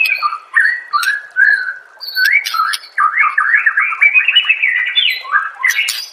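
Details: Training song of a white-rumped shama for caged birds, a continuous flow of varied whistled and warbled phrases that climbs into a quick run of rising notes, with short sharp clicks scattered throughout.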